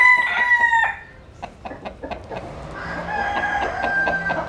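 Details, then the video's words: Rooster basking in the sun, giving a loud, harmonic crow that breaks off after under a second. A second, longer and quieter crow follows after a pause of scattered clucks and clicks. "Ngắm Gà Trống Đẹp, Nghe Gà Gáy"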